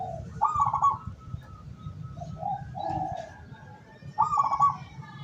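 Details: Decoy zebra dove of a local strain, used to attract wild doves, August 2023: brief bright trilled coo, softer lower cooing notes in the middle, then another quick trill, all above a constant low hum.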